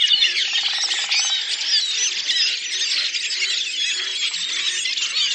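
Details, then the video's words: Collective song of a Redwing flock, Lipovaya Gora in Russia's Oka Nature Reserve, April 2019: countless overlapping shrill twitters and squeaks blend into a continuous, even wall of high bird sound. "Белобровик Turdus iliacus, коллективное пение стаи / song of the Redwing flock"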